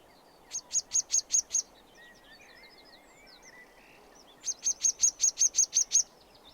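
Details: Two bursts of sedge warbler song, each a quick series of about six to nine sharp, high chattering notes, separated by a pause filled with softer twittering from other birds.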